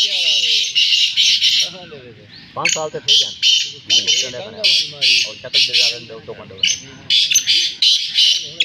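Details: Black francolin, the kala teetar, giving rapid 'chakri' calling: a run of rasping, high, scratchy bursts, some paired, pausing briefly midway, with men's speech audible beneath the bird.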